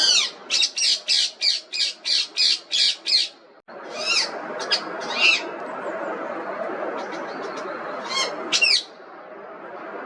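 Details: Indian Ringneck parrot utters a run of nine harsh, evenly spaced squawks, then scattered sharper squawks and chirps over a steady background hiss.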